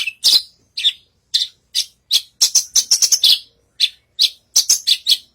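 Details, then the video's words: A branjangan bush lark sings eagerly on stage: varied sharp chirps and a rapid rattling twitter, broken by brief pauses. "Burung branjagan gacor naik panggung"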